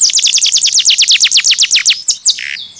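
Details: Canary trilling a fast series of evenly spaced downward-sweeping notes, about eight per second, ending with high thin whistles and a short buzz, recorded to train other birds.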